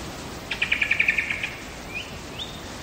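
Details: Wild lyrebird singing in Megalong Valley in the Blue Mountains, Australia: a rapid rattling run of about ten clipped notes, then two rising whistled slurs, against quiet bush background noise.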